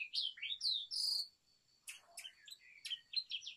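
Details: A brown rock chat utters three loud upward-sweeping whistled notes, then after a short hush a scratchy, jumbled run of chirps and slurred high notes, with a faint steady high hum in the background.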